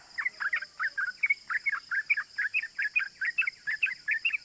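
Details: Yellow-vented bulbul chattering a quick string of sharp cuk cuk notes, played as a lure to provoke other bulbuls into calling; evenly spaced bursts, a few slightly whistled, against a constant thin high hiss.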